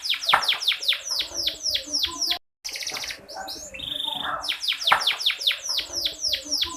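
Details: Female canary voice used as a lure to stimulate lazy or unaroused males into full singing: rapid series of sharply downslurred chirps, about two per second, briefly interrupted midway by a dropout and a mixed burst of other tones.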